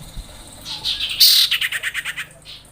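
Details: Female common iora calling to the male while in breeding condition: soft rising chirps lead into a loud high burst. A descending series of about ten spaced, clipped notes follows.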